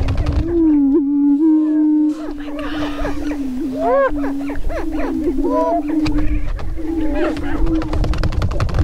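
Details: On an April 27, 2013 lek near Crookston in northwest Minnesota, Greater Prairie-chickens perform their spring mating dance: a low sustained boom with stacked overtones, then rising whoops and cackling calls from several birds.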